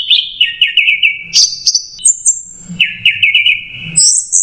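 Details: Orange-headed thrush song used as a training recording for captive birds: loud varied whistled phrases, with long chattering trills, high sharp notes and abrupt pitch jumps following in quick succession, no pauses.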